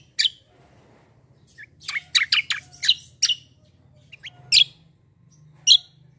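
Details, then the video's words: Black-winged myna singing a vigorous competitive song: a quick cluster of harsh, sharp chirps in the middle, framed by single loud tweets and short whistles, over a faint low hum. "KECIAL KOMBO CUCAK KOMBO TARUNG NGEROLL GACORR"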